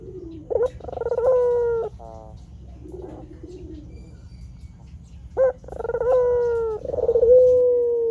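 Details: White Barbary dove calling, used as a lure to make wild doves respond and as a training recording. Two coo phrases, each a quick upward note then a rolling, held coo, with softer murmuring between them.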